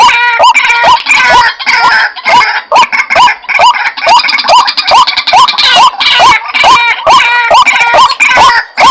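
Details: White-breasted waterhen lure recording used to attract the bird: dense, harsh rising notes repeated about twice a second, overlapping with buzzy upper tones and a busy, layered chorus throughout.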